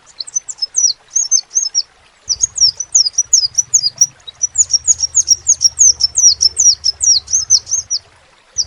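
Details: Sepah raja (crimson sunbird) singing actively. Rapid strings of sharp, high, downslurred tweets with one brief break, then a dense continuous run. Faint low rumble in the background.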